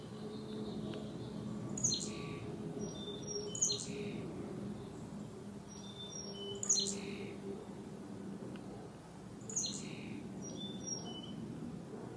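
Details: Autumn chickadees in colourful fall trees, 2021: clusters of thin, high whistled and chipping notes return in bursts roughly every two to three seconds, with a low steady hum underneath.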